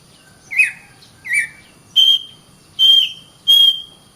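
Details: Oriental magpie-robin giving five spaced phrases about every 0.7 seconds. Two short falling whistles are followed by three longer, level, buzzy whistled notes.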